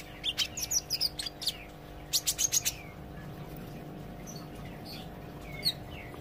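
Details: Olive-backed sunbird learning to sing gacor: high twittering chips and slurred whistles in two short rapid bursts, then near silence with a single late note, set against a low constant hum.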